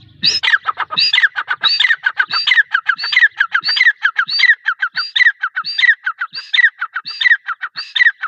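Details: Female grey francolin (teetar) giving a fast, continuous series of harsh, grating call phrases, each a rising buzzy note followed by chattering notes, repeated steadily throughout.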